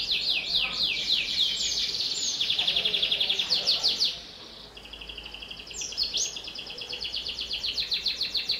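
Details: Canary song meant to stimulate young canaries: rapid trills and sweeping whistles in quick succession, a brief dip in volume midway, then a fast, evenly pulsed rattling trill.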